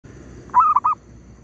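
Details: Zebra dove in an oil palm plantation during bird trapping: one short, quick phrase of mid-pitched, staccato cooing notes over a low, steady background hum.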